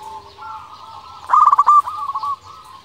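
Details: Local zebra dove in full voice, used as a lure so rival doves answer at once: one loud burst of rapid, stuttering, rolling coos midway, with softer drawn-out cooing before and after.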